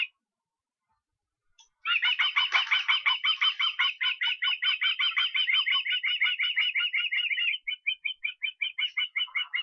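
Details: Osprey in Estonia on 23 August; after near silence, a long, fast run of shrill, whistled chirps, about three per second, holding steady pitch for several seconds before becoming slightly spaced and fading.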